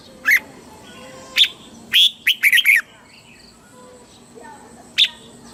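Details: Red-whiskered bulbul in Thailand, southern master-style song used to excite birds and tutor chicks: scattered single sharp chirps, then a quick burst of five or six warbled whistles, then one more chirp after a pause.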